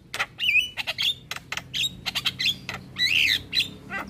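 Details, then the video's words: Black-winged starling in lively song, a training recording for other starlings: loud harsh squawks alternating with bent whistled notes and short chirps in irregular bursts. "Masteran Dan Pancingan Burung Jalak Kebo dan Jalak Lainnya - Jalak Kebo Gacor"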